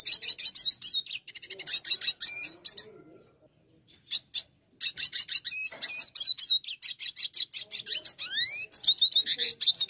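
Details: A brune dilute (browner colour mutation) red siskin sings a fast, high, twittering song of rapid chattering trills and buzzy notes, broken by a short pause and ending in rising sweeps.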